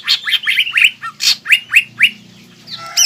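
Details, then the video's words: Fighting song of a caged green leafbird, full of mimicked material, played to make another leafbird angry: harsh squawky notes followed by a string of upward-sweeping whistles, with a soft low hum underneath. "CUCAK IJO GACOR FULL BONGKAR ISIAN AGAR CUCAK IJO LAWAN EMOSI DAN MAU JAMTROK"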